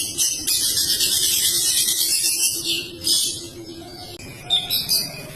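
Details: Long-tailed shrike pouring out a long, dense, energetic song of rapid high-pitched chattering and twittering phrases with barely a pause, a low steady hum running underneath.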